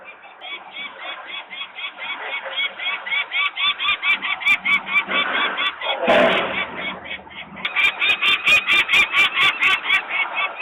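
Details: Screaming peregrine falcon parents walk around their nest in Włocławek, Poland, on 23 May 2022 while nearby workers make noise and the young females remain on the landing. Rapid harsh cries continue steadily, broken by a loud clatter midway and sharp clicks.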